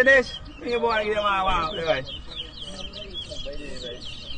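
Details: Towa towa (large-billed seed finch) at a 2022 Rosehall Town, Guyana singing competition; clear high twittered phrases continuing after a man's drawn-out spoken voice in the first two seconds.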